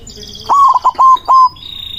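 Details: A white zebra dove, recorded as a lure to draw rival doves, gives one loud phrase of quick, staccato coos, five or so short notes with a longer final one, over faint high chirping from other birds.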